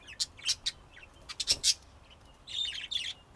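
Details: Budgerigar calls from Texas, USA, 2025: separate short sharp chirps, about five in the first second and a half, followed by a longer grating chattering phrase.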